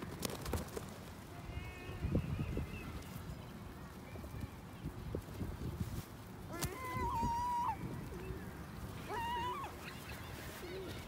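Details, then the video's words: Gulls, still calling after being fed, give two drawn-out, nasal, slightly wavering cries late on, with fainter calls earlier, over rumbling low noise and the soft flapping of pigeons. "Seagulls’ Noise With Pigeons Flapping"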